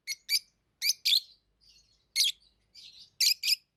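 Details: Shrill, scratchy chirps from tame lovebirds, often in pairs, separated by short silences and a few softer, fainter twittering notes.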